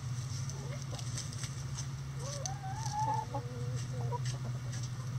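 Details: Backyard chickens at their daily routine give a drawn-out, wavering tonal call that rises and falls through the middle of the stretch, with a few brief notes after it and a constant low hum behind.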